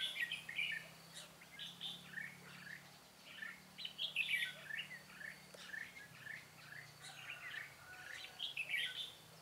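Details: Red-whiskered bulbul decoy singing during a butterfly-wing trap session to lure wild birds, 13 March 2017, outdoors; busy run of short warbled, chirpy phrases, repeated closely with brief gaps, over a faint low hum.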